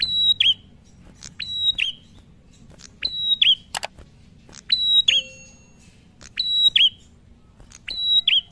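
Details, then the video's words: A prinia in long continuous song, said to set other prinias singing, repeats a bright, high whistled phrase ending in a sharp downward flick, roughly once every 1.7 seconds, with a few sharp clicks between phrases. "PRENJAK NGALUN"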